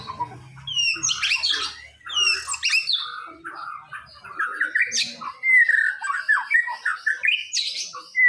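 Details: Champion white-rumped shama from a songbird contest delivers a long, rich medley of whistles, rapid twittering trills, downslurred notes and buzzy chatters in quick succession.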